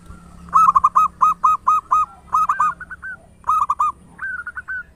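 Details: Loud-voiced local zebra dove in full song, meant to spur other doves to call: dense, ringing coo phrases repeated in quick succession, ending with a softer run.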